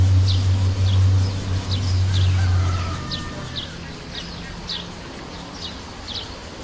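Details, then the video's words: Wild sunbird repeating thin, high, falling chirps roughly every half second, some with a quick lower note, while a heavy low rumble fills the first three seconds and then fades. "KOLIBRI VARIATION"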